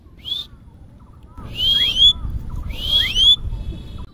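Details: A pet common myna, coaxed by its owner to talk and whistle, gives loud, clear whistled phrases sliding up and down in two bursts a little over a second apart, over a low background hum.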